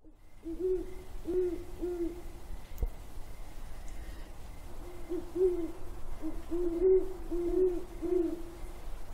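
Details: Great horned owls hooting on January 17, 2022: low, soft, muffled hoots in quick runs of three to five, a pause near the middle, then denser overlapping runs toward the end, over a steady low hum.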